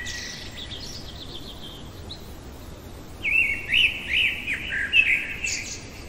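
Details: Faint high twittering in the darkness gives way, after about three seconds, to a loud common blackbird phrase of bouncy, warbling flute-like notes; singing in the middle of the night.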